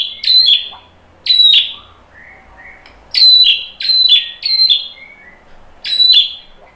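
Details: White-rumped shama song to bait fighter males: loud sharp descending notes delivered singly and in quick groups, separated by quieter soft whistles.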